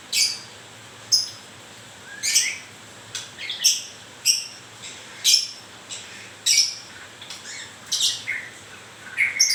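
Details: A white-rumped shama just into its moult gives grewek notes: spaced, scratchy, high-pitched bursts about once a second, mixed with short rising whistles, in a quiet setting.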